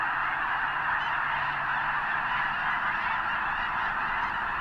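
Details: Snow geese in an enormous gathering near the east end of Potholes Reservoir, staging before migrating north to the arctic tundra; continuous clamour of overlapping high honking calls from many birds, even in loudness throughout.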